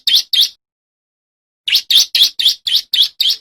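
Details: Male bar-winged prinia, loud song meant for training and luring wild birds: two piercing chirps, a pause, then a rapid run of seven sharp, high notes at about four per second.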